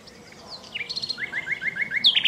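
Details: A nightingale in alluvial forest near the Danube, Dunajske Luhy, Slovakia, sings a short phrase: a few thin sliding notes, a quick run of about eight repeated chirps, then a higher, sharper flourish over faint hiss. Common nightingale.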